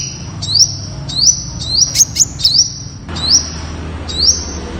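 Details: Malaysian red sunbird, also called Temminck's sunbird, singing a run of high, rising-then-steady sibilant whistles, about one each second, with a few crisp ticks in the middle.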